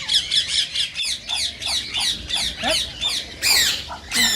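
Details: Rose-ringed parakeet calls used to stimulate mating: a regular series of rasping squawks, then louder piercing screeches near the end, with a short click around the first second.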